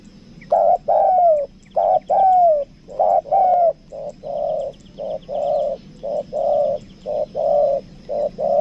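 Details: Spotted dove lure bird, 'kuk dua' kind, cooing in a rapid run: long falling coos at first, then a string of short, evenly spaced muffled coos in pairs, some faint high twittering behind.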